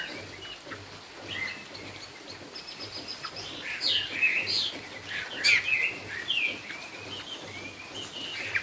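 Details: Hwamei, 'cao cầu' song: moderately loud whistled notes and sharp chirps come in irregular clusters over a low hiss, with a few louder rising phrases near the middle.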